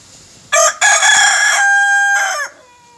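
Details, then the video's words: A rooster of aseel breed gives one loud crow: a short opening note, then a long strained harmonic cry that drops away at the end, over faint background hiss. "my rooster crowing"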